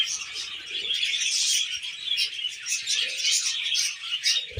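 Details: A flock of tamed pet budgerigars chatters in an unbroken wash of shrill chirps and scratchy warbled phrases, with a brief low knock at the very end.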